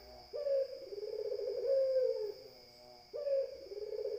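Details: Barbary dove cooing: long, low, purring coos that start with a sharp rising note and hold steady for nearly two seconds, two coos heard, with a faint steady high whine in the background.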